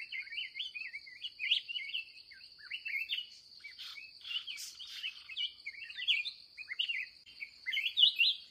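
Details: Agitated wild red-whiskered bulbul during a final trapping session of the day: continuous cheerful warbling of short rising and falling notes in tight runs, with a persistent high insect whine underneath.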